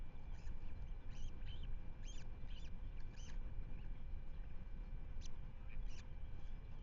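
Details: Nest webcam at Manton Bay, Rutland, 10 May 2025, with Ospreys: bursts of sharp, bent whistled cheeps in quick runs, then scattered single notes, against constant low rumbling background noise.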